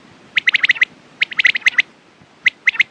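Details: Quail calling in quick bursts of five or six sharp, clipped chirps, a short pause between groups, then a final group of three; clean, close sound over a quiet background with no other voices.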